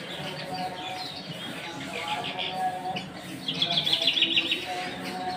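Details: Singing bird producing bright, high chirps, then a rapid trilled series of sharp notes near the end, set against a constant humming tonal background.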